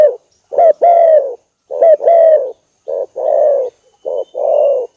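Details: Spotted dove lure sound to stir up a rival: paired coos, a short note then a longer level one, the later pairs hoarse and softer.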